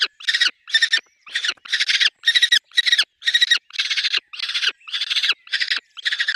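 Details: At a peregrine falcon nest with chicks, loud grating kak-like bursts repeat about twice per second without pause, each note harsh and pulsing.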